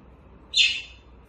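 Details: A baby grey parrot, kept as a pet, whines while being hand-fed pellets one by one outside its cage. It gives a single short, high, harsh squeal against quiet surroundings.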